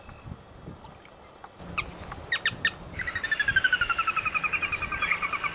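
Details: Sora with a long run of quick notes that step steadily downward in pitch, about three per second, growing louder then fading, after a few scattered chips.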